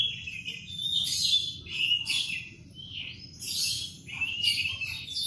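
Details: Canary song in the morning: high chirps and twittering phrases in bursts, with a steady low hum underneath.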